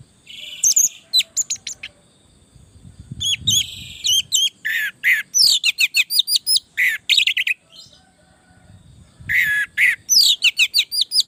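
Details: Orange-headed thrush in lively song, played to train other thrushes and prompt them to reply; bursts of rapid varied chirps and slurred whistles separated by short quiet gaps.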